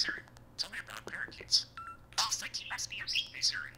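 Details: Pet parakeet mimicking speech near an iPhone it triggers into Siri. Rapid raspy, high-pitched chatter broken by a brief pure electronic-sounding tone midway, then more dense twittering syllables.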